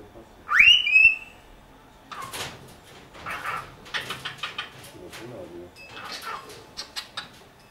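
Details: A cockatiel in Dortmund-Huckarde, Germany, gives one loud, clear whistle that sweeps upward and levels off, about half a second long. Quieter scratchy chatter and soft rustling sounds follow for the rest of the recording.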